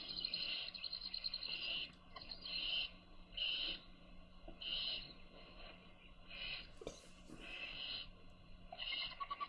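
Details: Baby owls being fed by their mother give harsh, hissing screeches in bursts of about half a second, repeated roughly every second, with a faint steady hum beneath and one brief noisy rustle.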